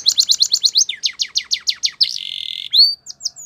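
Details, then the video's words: Canary training song: quick evenly spaced chirps about six per second, a short rolled buzz, then a clear high whistle and a few sweeping notes. "Canary Bird Singing | The Best Canary Training Song"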